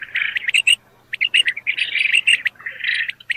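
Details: Village domestic quail give busy, high chirping chatter: dense bursts of short, sharp notes with brief whistled peeps, broken by a short pause; no other clear sounds.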